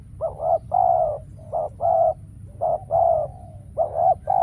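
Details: Decoy spotted dove cooing at a trapping site: a steady series of mellow, low coos, with brief paired notes alternating with longer drawn-out ones, repeated roughly every second.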